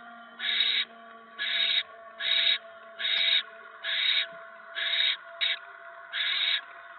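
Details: Barn owl nest, evening of 10 November 2017, a mouse arriving: a regular series of eight grating hisses about once a second, one cut short, over a faint electrical hum.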